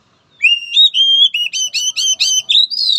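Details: Oriental magpie-robin singing for sound-therapy training of a timid, weak-spirited bird: one loud, sweet whistled phrase of about ten rapid notes, sliding up and down, ending in a higher rising whistle.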